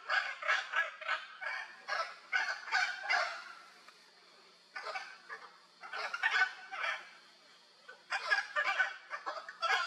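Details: Wild hyacinth macaws playing in Brazil: bursts of harsh, raspy squawks repeated in quick runs, pausing briefly between groups, with a faint steady high hum of insects behind.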